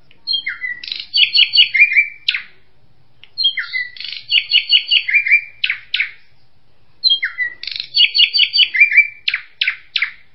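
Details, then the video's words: A drongo repeats one phrase about every three seconds: a sliding whistle, a quick run of bright metallic chattering notes, then a few sharp clicks, against a quiet background. "SUARA BURUNG SRIGUNTING"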